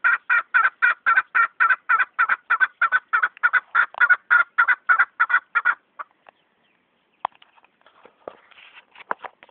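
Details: Chukar partridge calling: a fast, steady series of clucking chuk notes, about three per second for six seconds, then scattered faint clicks and rustles.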